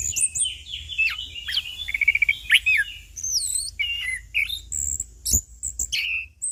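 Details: Anis kembang or punglor, the orange-headed thrush, in relaxed ngeplong song: a dense, varied run of whistles, trills, rapid chattering bursts and swooping high notes, with a single sharp click near the end.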